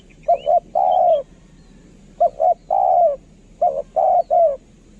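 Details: Decoy-line spotted dove singing three coo phrases, each made of two brief hollow notes and then a drawn-out smooth coo, with pauses of about a second between phrases and quiet background noise.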